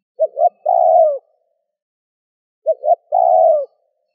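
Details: Spotted dove calling in the Vietnamese gù, thúc and gáy gọi styles to provoke wild doves: two identical phrases about two and a half seconds apart, two clipped coos leading into a sustained, slightly falling coo, background silent.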